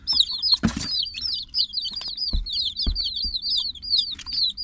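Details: Domestic chicks peeping together in a dense, overlapping chorus of high, arched peeps, each short note sliding up then down, with a few sharp broadband knocks and thumps.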